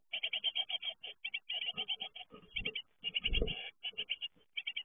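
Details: Great tit fledglings leaving the nest: dense bursts of rapid, buzzy, chattering calls repeated in quick clusters, nearly continuous, with a louder low rumbling thump just after three seconds.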